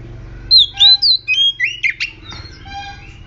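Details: Aggressive oriental magpie-robin song played as a lure to provoke other magpie-robins into singing. Opens with clear slurred whistles, moves into quick warbles and a harsh rasping note, then fades into softer distant phrases.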